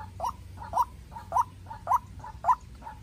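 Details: Captive-raised young White-breasted waterhen used as a decoy, calling against a wild bird: paired notes, a loud rasping call then a softer one, repeating about every half second, with low hum beneath.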